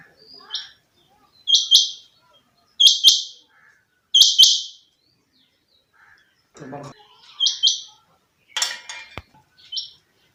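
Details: Owned rain quail, called chinga batair locally, uttering high paired notes in a steady series, followed by a brief scuffling noise and a harsh rasping sound before two further calls.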